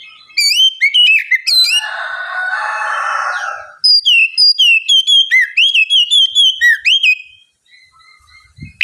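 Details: Oriental magpie-robin (kacer) in ngeplong style as a prompt for a lazy singer: sharp whistles, a long harsh rasping stretch, then a steady run of about a dozen quick whistled notes.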